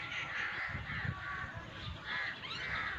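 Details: Harsh cawing from an angry crow comes in drawn-out, scratchy bursts, with soft low thumps and rumbles underneath.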